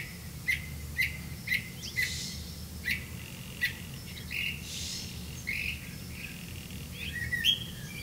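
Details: Black-bellied malkoha caring for nestlings: a neat series of short high pips repeated about twice a second, then softer rustling and a few scattered chirps, over a low droning background.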